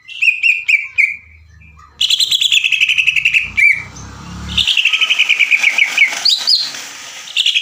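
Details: Greater green leafbird training song to provoke other birds, featuring long rapid chattering likened to a sewing machine: sharp whistled notes, then fast rattling runs, with a faint low hum in the background.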